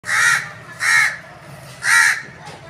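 A crow gives three harsh, hoarse caws, each about half a second long and roughly a second apart, with a faint fourth note at the end.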